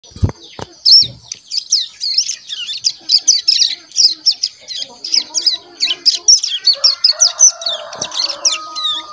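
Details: Caged one-month-old crescent-chested warbler chick actively practising its early song, a fast stream of high, thin chirps and twitters run together, with a few low knocks at the start.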